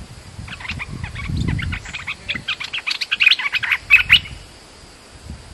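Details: Lure call of a bulbul for attracting birds, a rapid run of short, sharp chattering notes repeated for about three and a half seconds, growing louder near the end, over low rumbling background noise.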